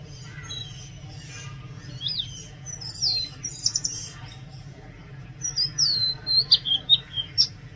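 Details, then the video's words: Oriental magpie-robin singing loudly: scattered sharp whistles and slurred notes, then a quick series of bright, descending whistled phrases near the end, with a constant low hum beneath. "Oriental magpie robin Song | Oriental magpie-robin Sound | Oriental magpie-robin Call"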